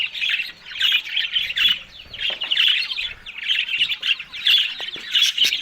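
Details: Budgerigars from Australia feeding on greens in the morning produce warbling chatter in short surging bursts about every second, full of quick chirps and harsh squawks.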